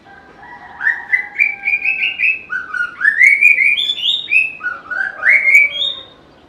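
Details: Melodious, varied song of a White-rumped shama, a species said to imitate other birds: a continuous run of bright whistled notes stepping upward, sliding slurs and twittering flourishes, rising to a high final whistle over a quiet background.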